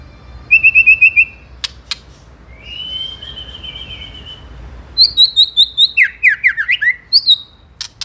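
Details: White-rumped shama song played to goad rivals: a fast trill of bright whistled notes, a drawn-out buzzy whistle, then high repeated notes and a falling zigzag phrase, with a few clicks.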